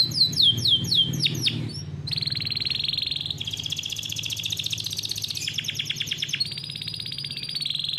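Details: Captive-bred canary from a bird farm delivering a long, fast, tightly packed rolling song, meant as a tutor recording for young canaries. It opens with sweeping, slurred whistles, then moves through sustained high buzzy rolls and rapid repeated trills.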